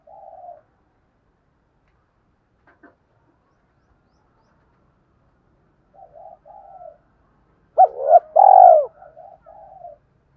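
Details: Lure recording of a spotted dove: faint, soft coo notes at first, then a loud two-part phrase with a sharp rising hoot and a long rolling coo, followed by quieter trailing coos.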